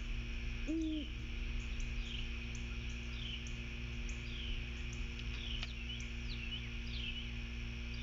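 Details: At The Landings on Skidaway Island, Georgia, 06:51 on 16 September 2023, one of a great horned owl pair makes a territory call, a single low hoot, followed by repeated faint high chirping insects and a constant low hum.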